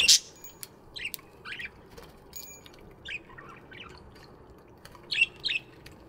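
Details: Aviary budgies in the morning: a loud sharp squeak at the start, then soft scattered chirps and warbled notes, with two louder chirps near the end.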